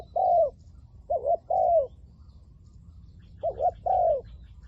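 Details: Decoy spotted dove cooing to attract wild doves: a lone falling coo, then two phrases of a short double note and a longer slurred coo separated by a pause of about a second and a half.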